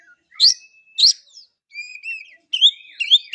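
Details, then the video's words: Oriental magpie-robin giving bright, strident chirps followed by clear, slurred whistled notes and a quicker run of rising and falling warbled phrases near the end, against a silent background. "Kacer bahan aja pasti langsung bunyi"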